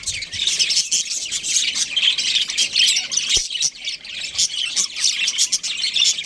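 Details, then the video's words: Breeding pair of budgerigars chirping: dense, scratchy chatter and squawky warbles, continuous and overlapping throughout, with short sharp notes layered on top. "Amazing budgie chirping sounds | budgies breeding pair"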